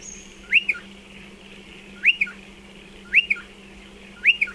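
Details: Striated pardalote calling near its nesting burrows, which are dug into a dry stone wall. Four sharp whistled notes arch up and down, each followed by a short second note, repeated about every 1.2 seconds over a faint steady hum.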